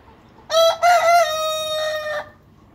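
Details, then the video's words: Rooster crowing: a broken opening syllable followed by a long, sustained, harmonic-rich note ending in a slight rise, over a low steady background hum. "Haantje krijgt kraailes van de grote Brahma man!"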